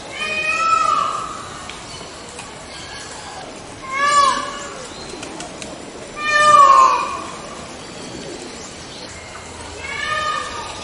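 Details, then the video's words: A white peacock (Indian peafowl) gives four loud, nasal, cat-like wails, each about a second long and spaced roughly three seconds apart, over a steady low background hiss. "Sound of White Peacock"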